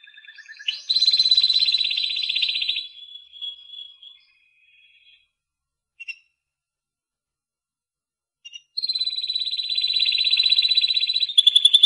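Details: Spanish Timbrado canary in song: a dense, ringing rolled trill fades into quieter fragments, then several seconds of near silence with a single chip, before a strong steady trill resumes and ends on a higher note.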